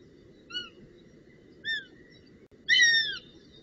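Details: Northern goshawk at the nest, recorded 25 June 2018 in the Netherlands: three short harsh calls with strong harmonics, the last louder and longer, spaced about a second apart over a steady low background hum.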